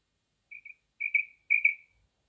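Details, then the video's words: Female common quail call, used as a hunting lure: three short, high, slightly trilled notes about half a second apart, a quick double then two longer ones trailing off, in silence. "female quail sound.common female sound.in hunting"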